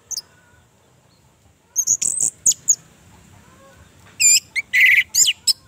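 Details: Orange-headed thrush recording for coaxing a silent kept bird into song: scattered thin, very high notes and a sustained faint whistle, ending in a loud cluster of rich, dropping slurs and buzzy phrases.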